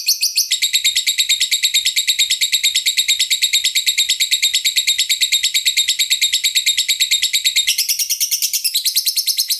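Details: Lovebird master song for training, a fast, steady, high chattering run of buzzy trilled notes repeated about twice a second without a break, shifting to a slightly different harsher phrase near the end.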